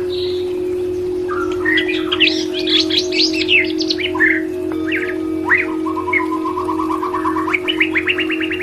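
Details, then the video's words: White-rumped shama song used as audio therapy for a stressed or silent caged bird: varied whistled phrases, rapid rising notes and a fast trill, over a constant low electrical hum. "Audio Therapy Murai Batu"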